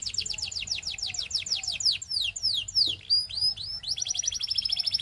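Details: Male Belgian canary singing: rapid buzzy trills of fast repeated notes, then a run of loud steep downslurred whistles and rising sweeps, returning to a quick rattling trill.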